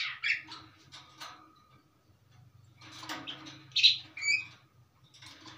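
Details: Long-tailed shrike delivering a steady song rich in varied material. Scattered sharp whistles and rasping notes come between quieter stretches, with one loud piercing note late on, above a low buzzing hum.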